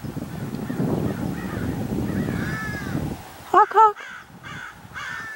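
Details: Common raven at Paramount Ranch in California's Santa Monica Mountains, filmed 28 January 2021: two loud, harsh, harmonic-rich calls close together near the end, after fainter calls over a low rumbling background.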